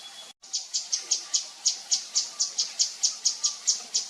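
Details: A wild Javan fulvetta, a species of forest and forest edge above 1,000 m, gives a steady series of thin, very high, short notes, about four each second, with nothing else heard.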